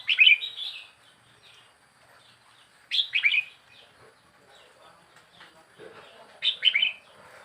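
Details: Young wild red-whiskered bulbul, in a cage for four weeks, sings three cheerful bubbly phrases roughly every three seconds, with quiet chirps between them.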